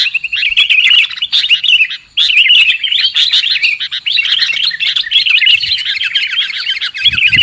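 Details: Sooty-headed bulbul trapping lure: an almost unbroken stream of lively chirps and warbled notes, with one short gap after about two seconds and a low thump at the end.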